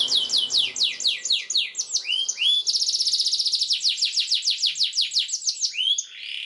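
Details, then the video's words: Singing canary used to teach young birds their song: a run of falling high notes gives way to rising whistled swoops, then a long, fast, even trill of repeated notes with more slurs at the end. "PANCINGAN Kenari GACOR PANJANG Cuit2 EMOSI ini AMPUH utk MASTERAN Kenari PAUD belajar BUNYI"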